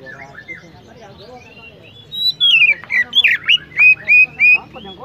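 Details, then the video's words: Oriental magpie-robin singing a run of clear, sweet whistled notes, about seven quick phrases rising and falling in the second half, after faint chatter and speech. "chirping sound magpie Robin"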